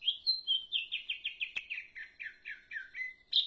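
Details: Leafbird in full, energetic song, a rapid run of bright chirped notes that slide downward one after another, about five per second, with a single sharp click near the middle.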